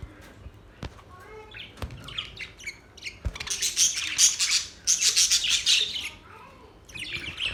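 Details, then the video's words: Budgies singing, described as a mating call: a few isolated clicks and soft chirps, then a loud dense run of rapid buzzy twittering, fading before a final short burst. "Budgies birds singing"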